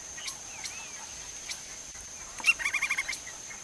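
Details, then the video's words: Lineated Woodpecker (Dryocopus lineatus) in Brazil, shown foraging for food, gives a quick burst of five or six sharp, high notes in a rapid rising series over a steady insect hum. "LINEATED WOODPECKER: Vocalizing!"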